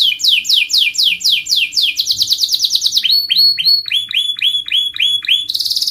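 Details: Canary in rolling song, delivering rapid series of downward-sweeping whistled notes, several per second, changing to shorter clipped repeated phrases and finishing with a bright high trill; steady faint hum behind.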